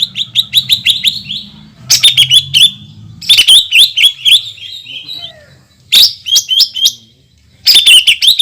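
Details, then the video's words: Greater green leafbird in long 'shooting' song aimed at rousing other leafbirds: clusters of fast, sharp chirps and rattles, separated by brief silences. "PANCINGAN CUCAK IJO GACOR DENGAN TEMBAKAN PANJANG YANG MEMATIKAN"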